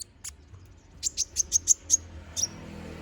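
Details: Konin bird, a lively bird singing in full, a recording used to train magpie-robins: a few short high chirps, then a quick run of six sharp, high, whistled notes, and one last chirp.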